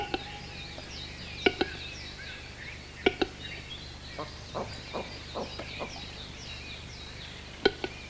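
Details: Displaying western capercaillie during the mating season in Italy's Orobie Valtellinesi Park, recorded on an analogue camcorder: paired hard knocks at intervals, then a run of about eight quicker clicks, over busy background birdsong.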